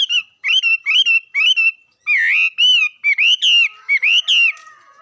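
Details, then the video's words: Bird singing: a series of short, loud, whistled notes with harmonics, followed by longer swooping and rising phrases, sung in quick bursts with short pauses between them. "Coob quaj zoo heev li"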